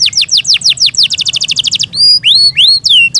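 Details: Yorkshire canary, a kept bird, delivers falling whistled notes that accelerate into a fast trill, followed by drawn-out rising and sweeping whistles.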